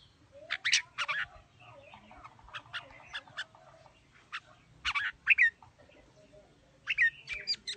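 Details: Red-whiskered bulbul in đá lân display, singing in a wild-bird voice style: bursts of bright, chirpy notes in short clusters separated by pauses of one to two seconds, with a faint background hum.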